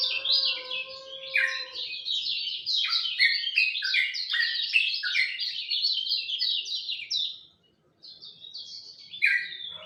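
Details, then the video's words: Lemon-bellied white-eye at dawn delivering a rapid, continuous jumble of high chirps and twittering trills, with a low whistled tone at the start, a brief pause near the end, then the chatter resumes. "Kicau Joss Kecial Kuning Subuh"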